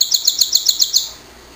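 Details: A pet canary gives a short, loud, rapid trill of about seven crisp, evenly repeated high double notes that stops abruptly.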